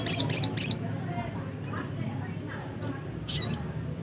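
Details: Black-capped white-eye singing lively: three quick bursts of very high, squeaky twittering notes at the start, then two shorter high chirps later over faint low background hum.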